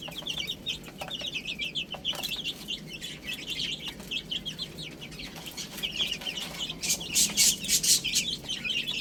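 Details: A flock of baby chicks chirps steadily while eating spinach, giving quick high peeps about four per second, overlapping, plus sharp pecking clatter near the end.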